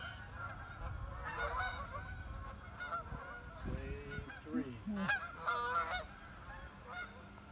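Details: Geese flying overhead on a morning beside a pond, giving nasal, harmonic honks in loose bursts, with a cluster near the start and several more toward the end, over a steady low rumble of background noise.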